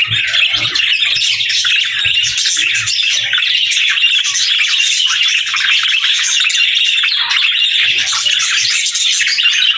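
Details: Nearly ten seconds of unbroken budgerigar chatter, an even, high, buzzy twitter of many overlapping chirps that barely changes.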